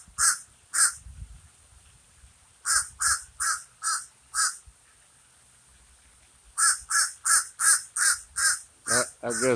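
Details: Common raven cawing in bursts: two harsh calls, a group of five, a pause, then a fast run of about ten rasping caws, the last ones rougher and more rattling.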